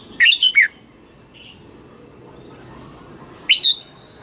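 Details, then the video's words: Red-whiskered bulbul's morning double-note wild-style song: a quick three-note whistled phrase with a falling final slur, a long pause with a soft faint note, then a two-note burst. "chào mào hót sáng, ép chào mào hót âm kép già rừng"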